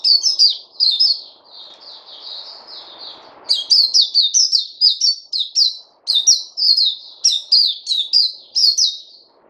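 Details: Sustained bird song: loud high chirps falling in pitch, then a softer even run of notes, then clusters of sharp notes resuming, with a muffled low noise in the middle.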